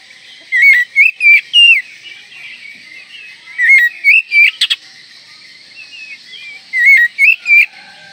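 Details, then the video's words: Oriental magpie-robin in breeding condition, singing to provoke rivals: three similar phrases of looping whistled notes spaced roughly three seconds apart, with a brief click burst in between. "Kacer Gacor Full Isian Mewah Merangsang Birahi Agar Tetap Gacor Ngobra Dan Lawan Jadi Emosi"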